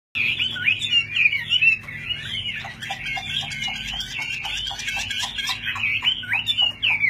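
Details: Chinese hwamei, a well-trained fighting bird, singing in full display with raised wings: a fast, continuous run of loud, varied whistled phrases, slurred and warbling, with sharp repeated notes throughout and a low steady hum beneath.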